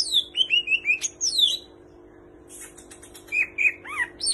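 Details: Greater green leafbird in full song with kapas tembak and cililin imitations: a run of falling whistled notes and chirps, a pause of about a second, then scattered sharp chips and a short upslurred whistle over a faint steady hum.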